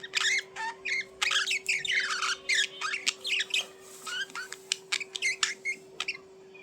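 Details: Pet budgies in lively chatter, dense runs of scratchy squawks and warbling chirps packed close together, a constant low hum underneath.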